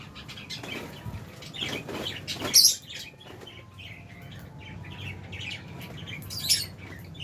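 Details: Albino and Fisher's lovebirds, caged, giving soft scattered high chirps with two sharper louder squeaks, over constant low background noise.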